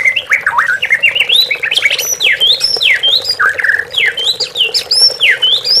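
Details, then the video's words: White-rumped shama lure song meant to rouse captive shamas into singing as if facing a rival: a continuous run of quick, varied whistles that rise and fall sharply. A soft steady background hiss runs throughout. "MURAI BATU MANDEK BUNYI,MURAI BAHAN DAN TROTOL..H4JAR PAKAI PANCINGAN INI"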